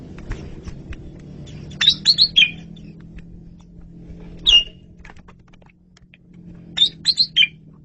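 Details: Asian pied starling singing gacor in a masteran recording: three bursts of clear, high whistled notes, quick clustered phrases, then a single note and a final cluster, over a low steady hum.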